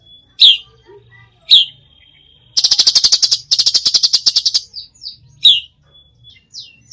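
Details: Cucak cungkok singing actively with 'tembakan' bursts. Sharp, sliding whistled notes come at intervals. In the middle there are two long, fast, harsh clicking rattles.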